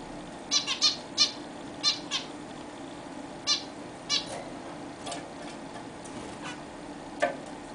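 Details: Several caged zebra finches at their first bath in a newly bought bigger cage. Frequent short, nasal, trumpet-like calls come in an irregular run, some in quick pairs, over a faint steady hum.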